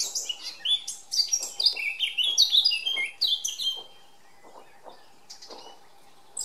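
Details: A male Eurasian blackcap sings a fast, varied chattering warble that rises into clear, fluty whistled notes for about four seconds, then falls quiet with a few faint chirps.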